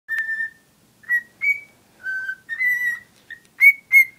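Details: Pet cockatiel, a hen in love with a cuddly toy, whistling: a string of clear, steady whistled notes around one pitch, some long and level, others short and slightly rising, with pauses between phrases.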